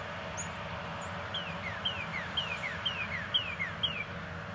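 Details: Shy male northern cardinal that has stayed around a house since winter, singing a steady series of clear, down-slurred whistles repeated about twice a second over a constant low rumble, with a few thin high chips early on.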